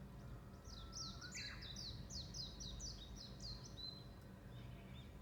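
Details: Birds twittering in the morning: a quick run of about eight high, sharp chirps sliding downward, repeated evenly over several seconds, with one softer rising whistle below and a steady low background rumble.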